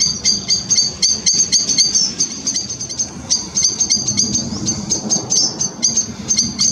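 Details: Grey wagtail family at the River Chelt giving sharp, thin, high-pitched calls in quick runs of about four a second, over a low steady rush like flowing water.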